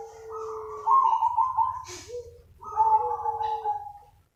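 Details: Zebra dove calling to lure other doves: a long warbling coo over a low tone, a brief rustling click, then a second trilled coo phrase with a softer lower note.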